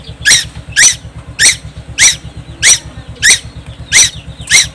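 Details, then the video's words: Young tuwu on Timor Island, loud enough to be noisy: rasping squeaks repeated roughly every 0.6 seconds, with faint chatter between them and a background drone of low hum. "burung tuwu Pulau Timor gak pernah diam"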